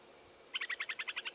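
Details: Upland sandpiper on the Baraga Plains, Michigan, in regrowing jack pine after a burn, 21 June 2017, giving a quick rattling series of about nine sharp, evenly spaced ringing notes over less than a second.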